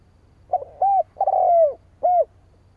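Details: Spotted dove giving its rival-luring call, a low mellow phrase of a short note, an arched coo, a long sliding coo and a final arched coo, over a soft low background hum.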